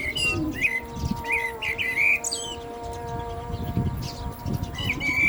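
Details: Common blackbird song heard during the call to prayer. Clear mellow whistled phrases, each followed by scratchy high twitter, repeat about every second. The held notes of the call to prayer run steadily behind, with some low rumble.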